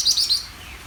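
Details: Greater green leafbird giving three sharp, high chirps in rapid succession, then a faint descending whistle.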